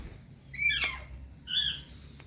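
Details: A pet rose-ringed (ringneck) parakeet kept as a talking bird in India gives two short, raspy, high-pitched utterances about a second apart, with a faint low hum behind them.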